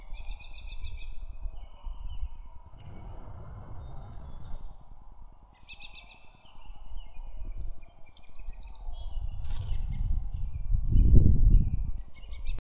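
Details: Brown-headed cowbird, apparently in Wisconsin, giving bursts of thin, liquid, squeaky chirps, some sliding downward, over a heavy low rumble of wind or handling noise.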